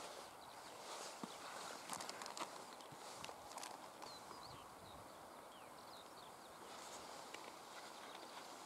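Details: Northern wheatear in the Super Besse uplands, very active and returning repeatedly to its takeoff point: a few faint, high, sharp chirps and short slurred notes in the middle section, with scattered clicks and rustling noise.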